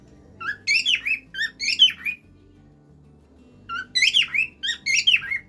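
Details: Cockatiel song: bursts of whistled, harmonic notes that rise then fall, grouped into two quick phrases separated by a pause of over a second. Soft background music plays underneath.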